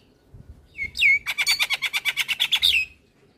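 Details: Male Javan myna in full song, used to lure and train young mynas: a rising whistle, then a fast run of about thirteen evenly spaced, ringing chattering notes, ending in a short upslurred whistle.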